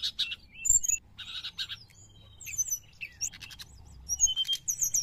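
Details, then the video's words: Sooty-headed bulbul lure song: buzzy rasping bursts and scattered thin high chirps, a softer middle stretch, then lively repeated chirping at the close. "srdc gacor penarik burung bahan"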